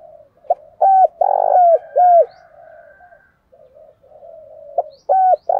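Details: Spotted dove cooing in the Vietnamese 'thổ' style, meant to rouse lazy wild-caught doves into cooing: clear, low hooting coos in short bursts of two or three notes, each with a sharp upswept start, separated by quieter murmuring.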